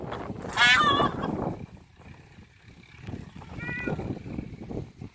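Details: Indian peafowl: a loud, harmonic, wavering call falls in pitch over about half a second, then a fainter, higher, shorter call comes near the end, over low rustling background noise.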